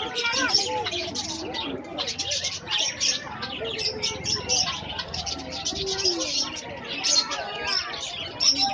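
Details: Lovebirds chattering in a dense, unbroken stream of harsh, squeaky chirps and twitters, with several voices overlapping and rising and falling in loudness throughout.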